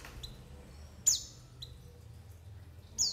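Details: White-eye lure calls with forest and flock background: two loud, bright chirps falling steeply in pitch, about two seconds apart, with softer short whistles between them and a faint low hum.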